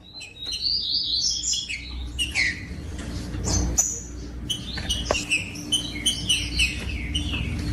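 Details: Song of a green-winged saltator, played to get other saltators singing: bright whistled phrases that sweep up and down, separated by brief pauses and scattered clicks.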